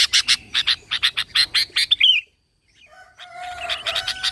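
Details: Sooty-headed bulbul in lively song used as a lure for other bulbuls: a fast run of bright chirps ending in a slurred twitter, then a pause and fainter chirping over a lower steady tone.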